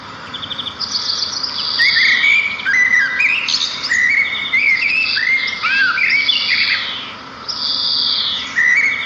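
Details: In natural surroundings, sparrows twitter continuously: tumbling high chirps, short rising and falling whistled notes and trills follow closely one after another with barely any pause.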